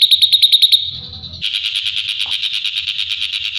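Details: Drongo singing, recorded as training material for a white-rumped shama: a fast run of sharp repeated notes, a brief pause with a low hum, then a long rapid buzzy trill of even pulses.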